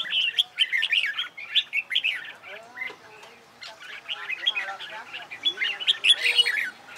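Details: Red-whiskered bulbul song for singing competitions: dense, fast chattering warbles that pause briefly midway, then resume in a longer, busier stretch of bright twittering notes.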